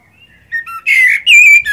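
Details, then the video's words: Common blackbird singing: after a faint start, clear fluty whistled phrases near the middle register, with a slurred warble and then a sustained, slightly wavering whistle, ending in a brief softer note. "تغريدة طائر الشحرور black bird"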